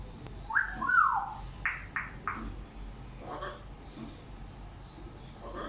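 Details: African grey parrot talking: a clear whistled note sliding downward, then several short, sharp speech-like syllables, with faint softer utterances afterward in a quiet indoor room.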